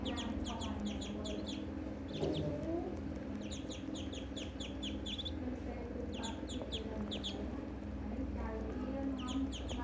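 Ducklings peep together in quick, high, overlapping bursts, several notes a second, over a steady low rumble with faint voices in the background.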